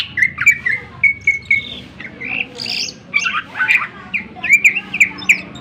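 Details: Greater green leafbird song used as a lure to provoke other birds into singing: a varied stream of short whistled notes and slurred chirps around the upper-middle range, with brief drawn-out whistles and scratchy phrases, faint low hum beneath.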